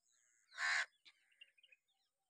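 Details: Crow giving a single loud, harsh caw lasting about a third of a second, followed by a few faint, short chirps in the background.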